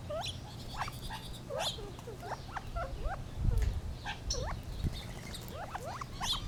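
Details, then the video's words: Gambel's quail giving irregular rising clucks and chips from several birds, with a low hum and a brief rumble midway. "Funny Sounds of the Gambels Quail"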